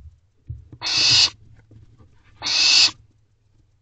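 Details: Barn owl nestlings inside a nest box just before midnight in late May 2023, calling for food from the parents: two loud, noisy hissing shrieks with low thumps and rustling in between.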